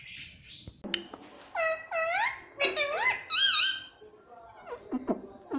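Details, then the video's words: Talking parrot said to say "mummy papa": a run of rising, wavering syllables with bright harmonics, one after another, over a thin steady high whine, followed by short squeaky clicks. "parrot talking mummy papa || मम्मी पापा बोलता तोता"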